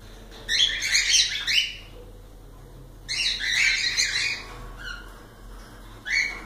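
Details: Several cockatiels chattering in two dense bursts of rapid, overlapping chirps, followed by a few single shrill notes.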